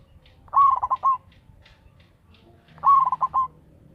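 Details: Lure bird: a vigorous local zebra dove with a loud voice. It gives two bubbling coos, each a rising start, four or five rapid pulsed notes and a held ending, spaced about two and a half seconds apart, over quiet low noise.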